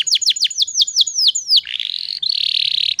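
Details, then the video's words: Female canary in breeding condition from Indonesia, used to draw male canaries into song: about ten crisp descending chirps in a steady row, followed by a long buzzy rolling trill. "PANCINGAN KENARI BAHAN TERBARU PASI BIKIN GACORR"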